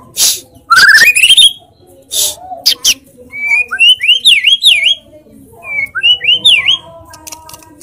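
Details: White-rumped shama song with loud 'tembakan' fill: a quick rising whistled run, then two wavering, looping whistled phrases separated by a pause, with a few sharp clicks.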